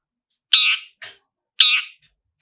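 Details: Two loud, rasping harsh notes from a long-tailed shrike lure recording, spaced about a second apart, with a fainter short scratchy note between them.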